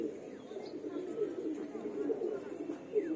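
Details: Flying pigeons giving low, soft cooing notes, a steady throaty murmur with about three louder swelling pulses, and a few faint high chirps and distant murmurs behind.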